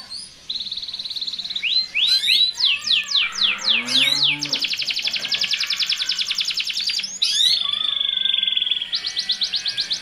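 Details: Canaries before mating, a male singing vigorously and a female responding, used as a lure to speed pairing and breeding: long high rolling trills of rapid repeated notes, steep rising and falling sweeps, then steady buzzy trills and a faint low hum.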